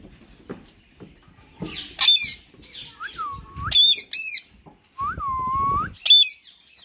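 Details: Talking mode from a white male ringneck parakeet and a green one: scattered sharp, ringing squawks mixed with two drawn-out, low, hollow whistled tones and faint chatter between.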